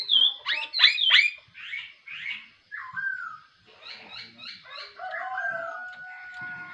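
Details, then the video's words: Laughingthrush singing in the morning: loud harmonic whistled notes, then a run of short repeated buzzy chirps, ending in long steady whistles. "khướu mun hót buổi sáng"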